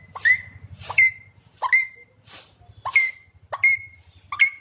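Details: Alexandrine parakeet kept as a talking pet: six short, sharp whistled calls, each rising quickly then flattening, repeated about every 0.7 seconds over a low, steady background of music.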